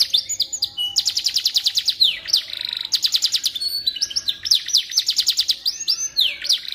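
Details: Canary song played as tutor for magpie-robins: sequences of fast, even rattling trills broken by short downward whistled slurs and sharp chips, energetic and high-pitched.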